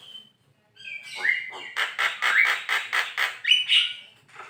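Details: Energetic song of a Javan myna, locally jalak kebo, used to tutor songbirds: a high whistle, then a rapid series of about eight loud, harsh, evenly repeated chattering notes and a closing whistle.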